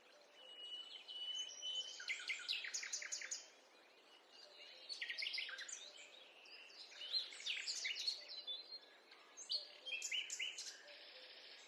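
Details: Birds in a forest heard while walking: a thin sustained whistle opens, then dense bursts of high chirps and rattling trills come in waves, with a brief quieter gap partway through.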